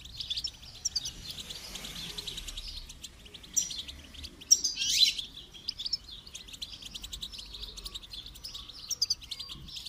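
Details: Goldfinch song used for song training: a fast, continuous twittering of high chirps and trills, with a louder burst of notes in the middle and faint low background noise.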